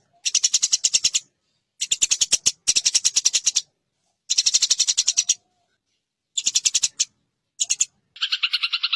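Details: Eurasian tree sparrow fighting call, a master track for competition songbirds: short, rapid, rattling chatter bursts repeated with gaps, ending in a lower, buzzy chirp.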